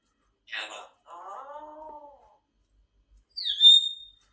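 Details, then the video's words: Grey parrot kept as a pet: a harsh burst, then a drawn-out, wavering moan-like tone, and after a pause a high, bright whistle. "grey parrot so beautiful and amazing sound"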